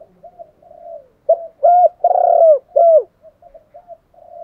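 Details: Spotted dove decoy calls from male and female birds for training, meant to rouse birds to coo quickly; soft murmured notes lead into three loud throaty coos, then quiet short coos again.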